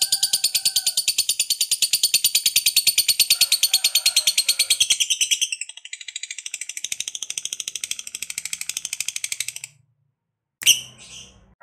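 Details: A fighter lovebird performs a long ngekek meant to provoke other lovebirds: a fast, shrill rattling trill runs for about ten seconds, softening midway, then stops; a short sharp squawk follows after a pause.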